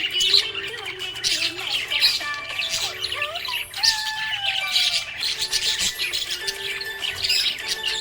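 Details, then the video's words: Budgerigar chirping happily: constant busy high-pitched twittering and squawky warbles, with short gliding whistles and a steady low hum beneath. "Happy budgie chirping sound"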